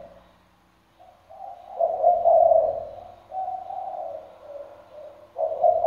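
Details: Spotted dove kept as a decoy bird, praised for a deep 'thunder-bronze' voice and a full repertoire, calling and cooing day and night; low hollow coos in drawn-out phrases, rising and falling in loudness, quiet room.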